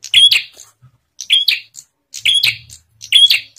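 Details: Bar-winged prinia singing, used as a lure to prompt other prinias to sing: loud, sharp chirped phrases of two or three notes with a bright whistled overtone, repeated about every second with short pauses.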